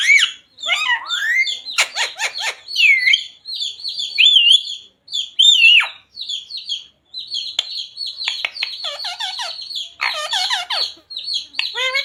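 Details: Pet parrot that talks, saying "Radhe Radhe" and "Sita Ram": long mix of high chirps, looping whistles and clicks, with clustered voice-like harmonic syllables late in the sequence.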